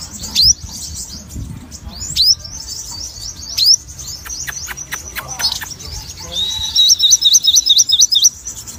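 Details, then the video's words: Sogon in lively full song: high sweeping whistles and sharp slurred notes, then a fast run of repeated twisting whistles near the end, with clicks and knocks throughout. "sogon mania gacor"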